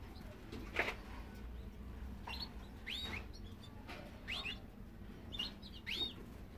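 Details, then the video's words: Fife canary giving short, sharp upward-sweeping chirps, spaced irregularly over several seconds, over a steady low background rumble. "FIFE Canary."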